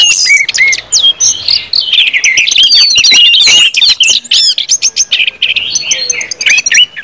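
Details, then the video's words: An orange-headed thrush song in the ngeplong style, played to stir other birds to sing: fast, jumbled high notes, rising slurred whistles and clicks, busiest in the middle, then looping whistled phrases. "KUMPULAN ANIS MERAH NGEPLONG BIKIN CEPAT BUNYI DAN GACOR ANIS MERAH"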